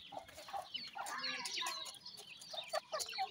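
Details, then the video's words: Feeding dakhni teetar chicks produce a continuous jumble of thin, high twittering peeps, with a few sharper notes toward the end. "dakhni teetar k chotay bachay with feeding,chicks ki boli"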